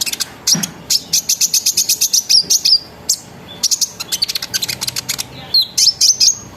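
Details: Sunbird lure song in the ngeriwik and ngerol styles, used to get other sunbirds singing: long runs of rapid, very high chirps with slurred whistles woven in, paused briefly midway.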